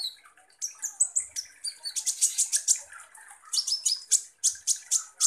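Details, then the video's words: Energetic song of a sunbird called kolibri ninja, used as a lure recording that makes konin birds angry and vocal: piercing high squeaky notes and fast repeated chirps delivered in rhythmic bursts several times per second. "PANCINGAN kolibri ninja GACOR"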